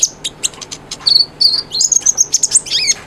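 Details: Lively brown-throated sunbird (konin) song meant to coax mute birds into singing: quick sharp chips followed by thin, level high whistles and a burst of squeaky twitters.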